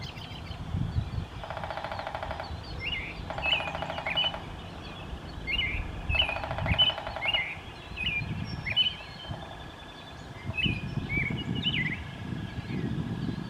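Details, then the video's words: Downy woodpecker drumming, recorded on a Canon Powershot SX70 HS camera: three rapid, even drumrolls of about one second each, spaced a few seconds apart, with short repeated chirps from other birds and a low background rumble. "Downy Woodpecker Drumming"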